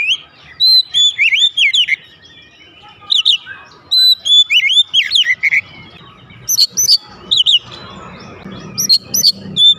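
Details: Oriental magpie-robin at home answering in loud, energetic song, a steady stream of looping whistled notes and sharp chips in quick bursts, with low background rumble in the second half.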